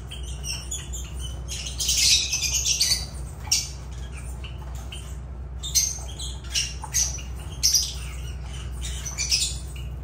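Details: Lovebirds (Agapornis) giving harsh, shrill squawking bursts, some clustered around two seconds in and others scattered through the rest, with quieter gaps between, over a steady low hum.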